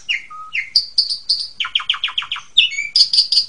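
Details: Master song of an Asian pied starling, meant for tutoring young birds: rising whistles, then a run of six repeated scratchy notes and bright high chirps.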